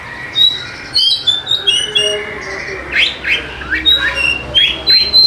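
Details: Song of an Oriental magpie-robin used as a lure for lazy singers, opening with high thin whistles and trills, followed by repeated sharp upswept notes and bright piercing whistles.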